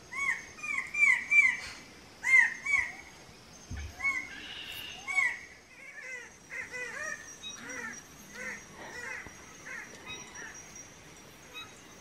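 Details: Red bird-of-paradise, males displaying to females at a dancing tree: loud repeated harmonic calls, each a curved upslurred note with strong overtones, given in bursts about every second at first, then softer, quicker notes; faint steady high hiss in background.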